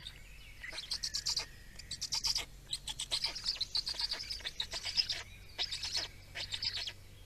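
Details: At a feeding in Estonia, 17 May 2019, black storks utter raspy, wheezing high-pitched call bursts, roughly one group per second, uneven in length and strength.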